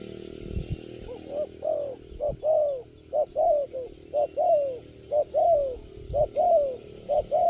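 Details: Wild spotted dove, the only bird calling at a trapping site, responding to lure birds: a steady series of soft, hoarse coos, each rising then sliding down, repeated about once a second, with faint low thumps underneath.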